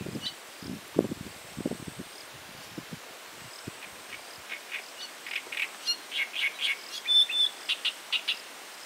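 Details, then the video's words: Great reed warbler singing; low thumping rumbles fill the first seconds, then a run of short, harsh, repeated notes builds and grows louder through the second half. "Lacar mare cantand - Singing Great Reed Warbler"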